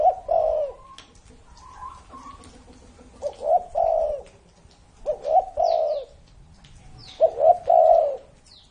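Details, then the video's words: A spotted dove more than thirty years old coos in regular phrases, each a pair of quick rising notes and a long throaty coo, repeated about every two seconds. Thin, high, falling chirps from another bird are heard in between. "CU GÁY CỤ hơn 30 năm tuổi !"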